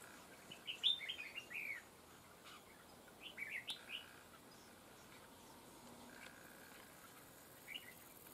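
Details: Red-whiskered bulbul, a trapping decoy: a quick phrase of bright, warbling whistled notes near the start, a second shorter phrase about three seconds later, then a lone note, with soft background hiss.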